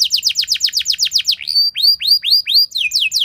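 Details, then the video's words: Canary singing a long, loud lure song to stimulate other canaries: a rapid trill of steep downslurred notes, then slower rising slurred whistles and a final pair of sweeps. "Langsung Respon Burung Kenari Kondisi Apa Saja Dengan Pancingan Kenari Nembak Panjang Keras Ini"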